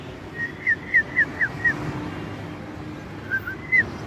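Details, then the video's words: Bulbul, possibly red-vented or red-whiskered, kept and hand-fed as a young bird, gives a quick series of short, clear whistled notes, about six in two seconds, then a pause and two more, over a low background rumble. "bulbul sound"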